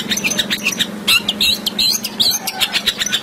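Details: Long-tailed shrike in full, energetic song rich in varied fill phrases: a rapid, dense stream of sharp chirps and short whistled notes, about two or three a second, over a steady low hum.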